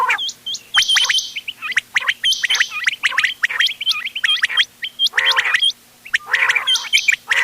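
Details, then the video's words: Quail, ghungay wal, doghla and changa kinds, in a mixed hunting recording from 31 October 2025; busy overlapping high hooked chirps and short buzzy trills, with occasional deeper nasal bursts. "گھونگے وال دوغلا چنگا بٹیروں کی مکس آواز quail bird sounds for hunting bater ki awaaz"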